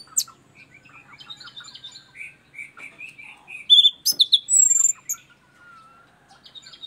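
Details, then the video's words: Orange-headed thrush (punglor) from East Nusa Tenggara, singing freely after getting used to the camera: a varied run of short whistled and chirping notes, mid-pitched at first, then louder high trills and a long descending whistle near the end. "punglor gacor asyik"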